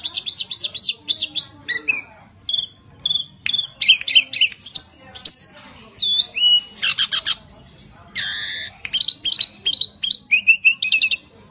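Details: Tledekan gunung (Sunda robin), a caged Javan songbird whose song is used to lure other birds, delivering a fast medley of repeated looping whistles, sharp chips, rattling trills and a harsh buzzy burst, in continuous short phrases.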